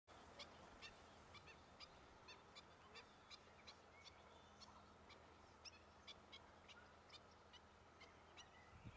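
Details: Black-winged stilt chicks in Gran Canaria, June 2020, giving short, high, thin calls repeated about every half second at an even pace over a steady low hum.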